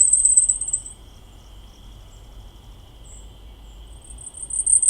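Blackpoll Warbler: a rapid run of extremely high, thin notes, heard briefly at the start and again swelling louder at the end, over a steady faint buzz and low rumble.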